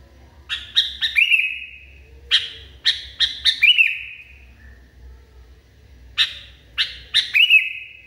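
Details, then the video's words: Agitated sooty-headed bulbul delivers three bursts. Each is a quick series of three or four sharp chirps capped by a drawn, sustained note, with short pauses between bursts. "KUTILANG NGAMUK PARAH"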